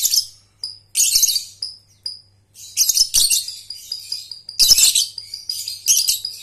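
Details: Lovebird lure for young birds learning the ngekek trill: short shrill chatters alternating with thin whistled notes, then a longer run of harsh, high chattering with steady whistles underneath.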